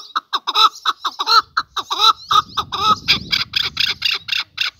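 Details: Male chukar partridge giving a rapid series of harsh, clucking notes, about seventeen in five seconds, steady and rhythmic, with a low rumbling noise under the second half.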